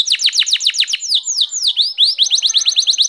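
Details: Canary singing: loud, rapid series of high sweeping notes, a fast run of downward slurs, then slower drawn-out descending whistles, ending in quick clipped rising chips, all bright and clear with no other sounds.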